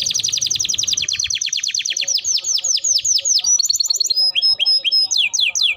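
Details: Singing Timbrado canary delivers a loud continuous sequence of rapid descending chirps that gradually slow, shifting to whistled slurred notes and short bright trills near the end.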